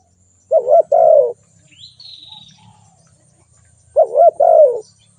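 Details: Two soft, low coo phrases from a spotted dove, about three seconds apart. A single high, thin whistle from another bird falls between them over faint low noise.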